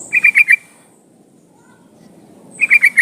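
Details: Sooty-headed bulbul female calling a male, heard as two short bursts of four rapid, bright chirping notes, one at the start and one near the end, separated by about two seconds of near silence with low background hum.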